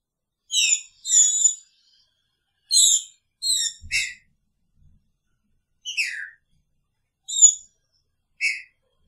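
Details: Caged green-winged saltator sharing its cage with a female, singing in the picharro style: clear whistled notes with bright overtones, grouped in short bursts, some slurring downward, separated by brief pauses in a quiet room.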